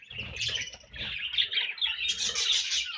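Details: Budgerigars exchanging food while feeding, with loud, crowded squeaky chatter and harsh chirps, growing brighter and denser in the final second.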